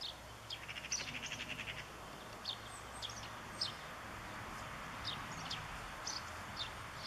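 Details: A European greenfinch family eating sunflower seeds on 14 September 2014, with a juvenile being fed: short, high, downslurred chips every half second or so, a brief buzzy rattle early on, over soft outdoor hiss.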